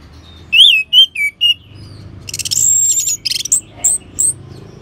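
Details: Orange-headed thrush song used as a training and lure sound to prompt other birds to sing: loud, clear, slurred whistles in quick short phrases, then a burst of high, buzzy, chattering notes and more sharp whistles.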